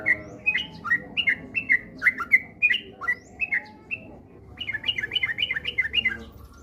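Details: Sooty-headed bulbul lure song for coaxing kept birds into rapid singing: a string of sharp chirps and downslurs, a short gap, then a tight burst of quick repeated notes, over a soft hum.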